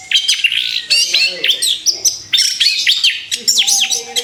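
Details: Orange-headed thrush just after moulting, ready to sing again, used as a training recording: dense, rapid high-pitched song of varied whistles, sweeps and chattering notes in quick bursts, with a faint low steady tone in the background.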